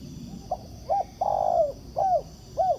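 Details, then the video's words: A wild spotted dove answers a ground decoy during trapping. Its cooing phrase has two short soft notes, then a long drawn, slightly falling coo and two more arched notes, all mellow and low, against faint background hum. "Bẫy cu gáy mồi đất, gặp chú bổi gù tốt, đẹp chim, có tố chất"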